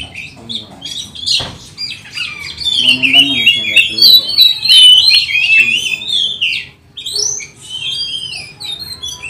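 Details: Oriental magpie-robin in full song as a training lure for other magpie-robins; long run of fast, jumbled high whistles and chatter that swells loudly in the middle, pauses briefly, then resumes more thinly.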